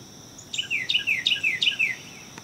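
A Carolina wren sings four loud, rolling phrases in quick succession, each a bright downward-slurred chirr, against a steady high insect hum.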